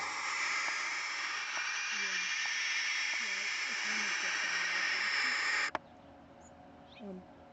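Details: Several barn owls in a hack box hiss in a harsh, breathy rush for nearly six seconds before it cuts off abruptly, upset at a person standing there watching them. A low human voice murmurs faintly underneath.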